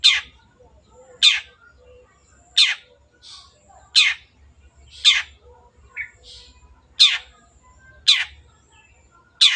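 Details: Cendet, the long-tailed shrike, calling loudly as a lure to prompt other birds to sing: sharp, scratchy downward notes repeated roughly every second, with a few faint short chirps in the gaps.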